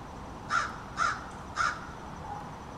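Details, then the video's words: Three harsh, evenly spaced caws about half a second apart from an American crow, part of a family group's extended backyard conversation, over quiet background. "American Crows Calling"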